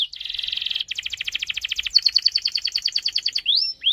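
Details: Canary singing a long rolling song meant to coax other canaries into singing: a steady buzzing trill, then a long run of quick repeated notes, switching to brighter whistled pulses and closing with rising slurred whistles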